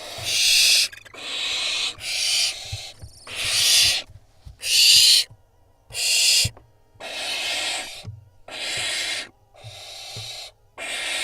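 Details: Barn owl fledglings squabbling over a vole at an Israeli nest camera, June 2021. Repeated breathy, rasping screeches, roughly one a second, each about half a second to a second long, with brief quiet pauses and faint taps.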